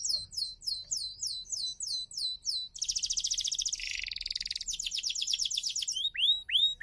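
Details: Canary singing, used to encourage non-singing canaries, opening with evenly spaced looping high notes, then dense buzzy trills at varying pitch, closing with a few sweeping upward whistles.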